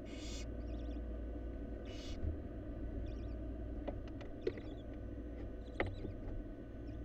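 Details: A Florida nest box of wild barn owls, with the fourth nestling just hatched: two short hissing bursts open, followed by faint, quick chittering calls and scattered sharp clicks from movement in the box, over low steady hum.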